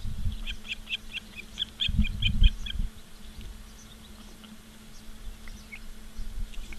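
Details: Osprey on a live nature cam at Charlo, Montana, 15 August 2023, 16:06: a quick burst of high whistled chirps over the first seconds, mixed with low thumping knocks, then quieter background hum.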